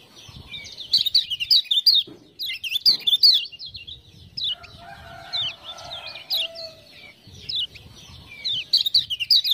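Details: Lemon-bellied white-eye (kecial kuning) from Lombok, a captive tutor bird, prompted by ciak-ciak sounds. It sings bursts of high, zigzagging chirps with short gaps between them, over a lower whistled background and faint rustling.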